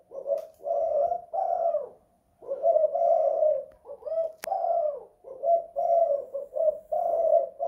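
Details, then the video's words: Spotted dove in a house, 'kuk 2 / guk 1' song: repeated hollow, low coos in linked groups, a clear gap after the first pair, and one sharp click partway through. "Tekukur kuk 2 / guk 1"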